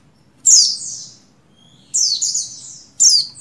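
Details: Buxtoni Oriental white-eye female in breeding condition calls a male with three bright, piercing chirps. Each slides sharply downward and the second is doubled, with near silence between them.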